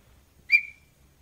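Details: A single clear, high whistled note, sharp at the start and trailing off slightly lower, from a singing small-billed tinamou (Crypturellus parvirostris) in Brazil, over a quiet low background hum.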